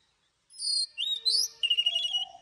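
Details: Oriental magpie-robin in morning song, a training recording of forest-style long-note singing, Vietnam; after half a second of silence come loud varied whistled and buzzy phrases, high sliding notes, then a lower warbled ending.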